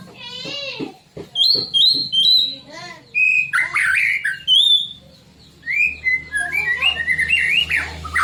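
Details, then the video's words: Song of a white-rumped shama, sung to stir rival shamas into singing: a rich, varied run of fluting whistles, upslurred notes and quick warbled phrases, with brief gaps between bursts. "kicauan santai tapi bikin emosi, murai manapun pasti ikut bunyi"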